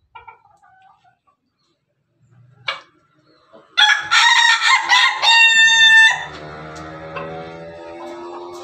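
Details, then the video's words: Pelung rooster giving a loud, harsh crow of about two seconds, rising into a strained, stepped middle and trailing off into a fading tail, after a few quiet scattered clucks. "ayam pelung Bangkok ketawa"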